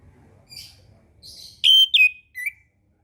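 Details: Orange-headed thrush song used as a master recording for young birds learning to sing: faint high buzzy notes, then three loud clear whistled notes, sliding slightly downward, in a quiet background.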